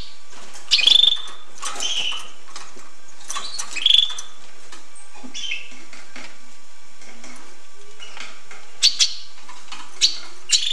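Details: Hooded siskin giving twittery, buzzy song phrases early on, then fading to scattered soft notes and a few sharp clicks near the end.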